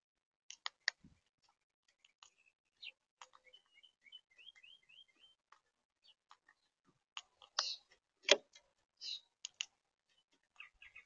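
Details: Monk (Quaker) parakeets in St. Petersburg, Florida: sparse sharp clicks and short chattering notes, a quick run of rising chirps near four seconds, then louder harsh squawks around eight seconds, with quiet gaps between.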